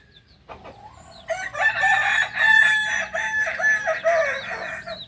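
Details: A kukuak balenggek singing rooster from Solok, West Sumatra, gives one long, rich crow after a soft start, its tone wavering and breaking into many linked, stepped syllables for nearly four seconds.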